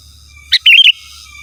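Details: Sooty-headed bulbul calling rivals with its pure song, free of other birds' phrases: one quick note, then a short liquid, bubbling, warbled phrase lasting under half a second, over a low steady hum.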